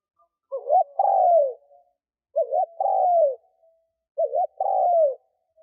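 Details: Lure spotted dove cooing to provoke wild doves. Three regular phrases, each a short wavering double note and then a drawn, downward-sliding coo, repeating roughly every 1.8 seconds in a clean, quiet setting.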